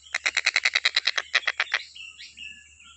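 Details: Stork-billed kingfisher recorded as a master track for training songbirds: a rapid run of loud, harsh, evenly spaced notes lasting under two seconds, then fainter high chirps from other birds.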